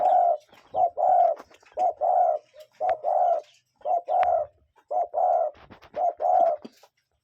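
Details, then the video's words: A cuckoo in nature repeats a soft, hollow two-note cu-coo about once a second, a short note then a longer one at the same low pitch, with faint background rustle. "Cuckoo Bird Sound"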